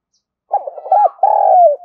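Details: Single luring phrase from a spotted dove used to provoke wild birds: a few hollow, wavering coos running into a long, steady low coo that drops off at the end.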